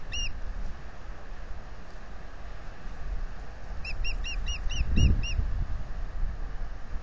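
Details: At a Salt Point nest camera in April 2020, an osprey offers to relieve its mate on the eggs. A brief chirp opens, then seven rapid, ringing, arched whistles, with a dull thump near the end and constant low background rumble.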